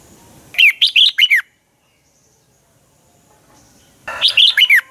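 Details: Red-whiskered bulbul singing a dueling song as a lure bird: two short bursts of about four sharp, descending whistled notes, the second phrase after a silent gap of over two seconds.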